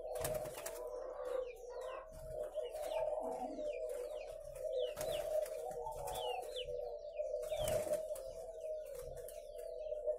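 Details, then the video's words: Dense cooing from many captive spotted doves at a farm in Ba Vì, northern Vietnam: a steady layer of low, mellow coos, with thin high chirps from small birds scattered above. "Thêm 1 cơ sỏ nuôi chim cu gáy hay"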